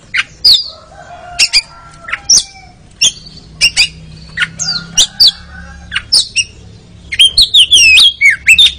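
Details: Oriental magpie-robin (kacer) in a therapy recording meant to rouse a sluggish bird into ngeriwik singing: loud, sharp chirps and short whistled notes in bursts, ending in a quick run of rising and falling whistles.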